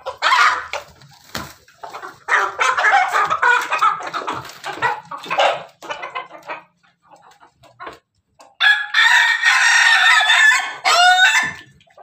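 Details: Crossbred Pelung, Bangkok and Ketawa rooster from Jogja, crowing in the afternoon: scattered clucks and noisy calls, then a loud, rich harmonic crow of about two seconds ending in a rising, bending note.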